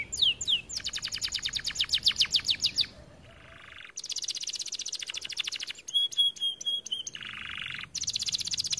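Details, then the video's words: Canary in an aviary singing a lively masteran song for training other canaries: fast repeated trills of rising sweeps, buzzy rolling phrases, and clear whistled notes, changing tour every second or two with brief pauses. "Kenari gacor cocok untuk masteran"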